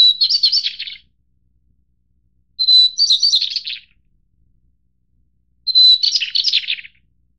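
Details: White-browed shortwing of the Taiwan-endemic subspecies goodfellowi, a mid- to high-elevation mountain bird: three high, rapid phrases, each opening on a thin steady whistle then breaking into a jumbled twittering warble, spaced about two to three seconds apart, no other sounds.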